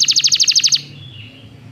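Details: Belgian canary in a training recording: a quick burst of about ten high, sharp repeated notes lasting under a second, fading out into a quiet room.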